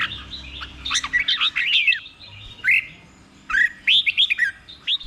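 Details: Red-whiskered bulbul, a caged bird, sings the slow, clear doubled 'beule' style so other caged bulbuls can copy it: short bursts of bright, looping whistled notes in quick phrases, separated by brief pauses.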